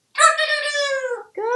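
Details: Pet male African grey parrot in a Texas home, hatched 1997, answering the question of what a rooster says: a loud, tonal, crow-like cry sliding slowly downward for about a second, then a brief second rising note, indoors.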